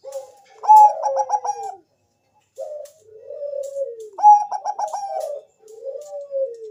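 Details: Zebra dove of the Bangkok type, kept bird, lure song to make other doves answer: two phrases, each a quick stuttering trill of four beats followed by a long falling coo, after a short opening note.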